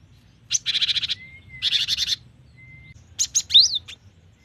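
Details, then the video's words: Cinereous tit mixing two harsh, buzzy rattles with a quick cluster of sharp, high slurred whistles at the end, a thin steady whistle from another bird between the rattles. "GELATIK BATU GACOR || the melodious sound of stone sparrows"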